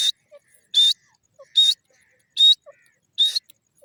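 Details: Sindhi teetar, or grey francolin: shrill, short high notes repeated about every eight-tenths of a second, each followed by a faint lower squeak, in a quiet background.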